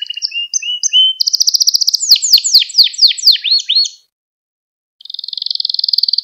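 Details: Song of a Gloster canary, played to rouse other canaries: rising whistled notes, a loud rapid trill merging into steep down-slurred sweeps, a pause, then a quiet even trill.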